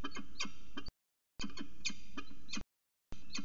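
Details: Peregrine falcon at CSU Orange before dawn, 05:29 on 25 December 2019. Quick clusters of three or four sharp calls are separated by short silent gaps, over low steady rumble.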